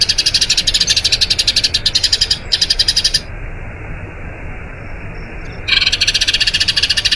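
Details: Eurasian tree sparrow in a long rolling song meant for teaching other birds: fast, high chirps roll on, break off into near silence for a few seconds, then resume just as quickly.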